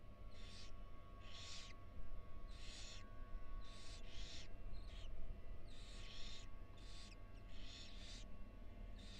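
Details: Female barn owl with four tiny nestlings in a nest box at the University of Florida. Repeated raspy hisses arrive singly and in pairs, roughly every second, over a steady low background hum.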